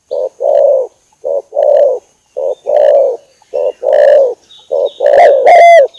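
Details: A long lure recording of an actively calling spotted dove: a series of softer, burry coos, each short note followed by a longer one, repeated about every second. It ends in a loud, harsh, overdriven coo, with faint high whistles behind.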